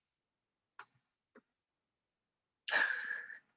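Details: Two soft clicks in a quiet room, then a short, harsh, sneeze-like burst of human breath, with no animal calling.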